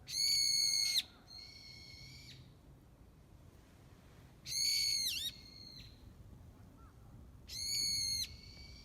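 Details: Bird in Kamakura giving loud, piercing whistled calls in three bursts about every 3.5 seconds, each a steady ringing note with rich overtones that sometimes drops sharply at the end, with softer trailing notes in a quiet setting.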